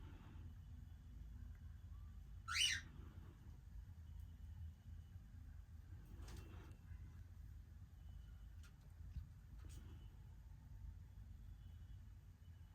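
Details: A young cockatiel gives a single loud, harsh screeching call over a low background hum.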